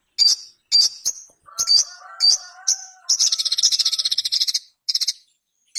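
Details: Lively song of a Ruby-cheeked sunbird, called sogon locally: a string of piercing high chirps, soft lower whistled phrases, then a rapid buzzy trill and a short closing burst.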